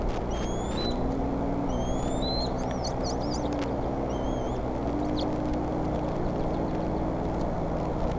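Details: Bald eagle chicks at the Decorah nest wait to be fed while the male plucks a duck, 4 May 2014, around 3 pm. Thin, rising whistles and short squeaky notes sound over a heavy, constant low hum.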